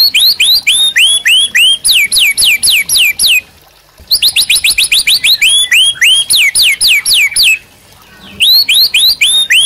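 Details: A caged White-rumped Shama in active song, serving as a master to train captive birds: long runs of sharp, ringing downslurred whistles delivered about four per second, broken by two short pauses.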